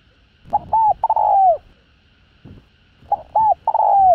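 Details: Spotted dove in the hạp bổi luring style, used to stimulate other doves. Two phrases, each with quick clipped notes and then a prolonged coo that sinks in pitch, about two and a half seconds apart.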